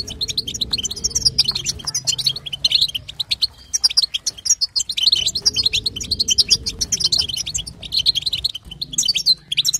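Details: Female goldfinch chatter, batbata and sastasa, for stirring a European goldfinch male to sing: bright, rapid, high chirps in clustered phrases, repeated steadily, with a recurring low humming background.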